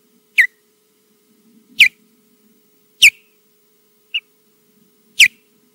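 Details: Osprey at the Loch Garten nest in Scotland, recorded by live nest camera while defending the nest against flyovers with a slight dive bomb: sharp, high, short downslurred whistles repeated about every 1.2 seconds, five in all, with a steady faint hum.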